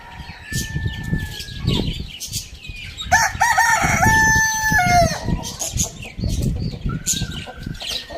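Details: Morning rooster crow, a bright, strongly harmonic cock-a-doodle-doo rising then holding steady for about two seconds mid-clip, flanked by fainter distant crows, chirping birds and low background rumble.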